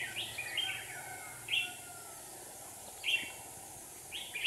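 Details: Trap for a wild red-whiskered bulbul in Hòa Bình, Vietnam, with two decoy birds: short, clear whistled phrases, separated by pauses of over a second, against constant faint noise.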